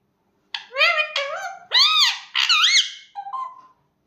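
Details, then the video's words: Pet parrot chattering indoors in a string of harsh, voice-like syllables with arched tones, ending in a short softer note. "mithu talking so cute"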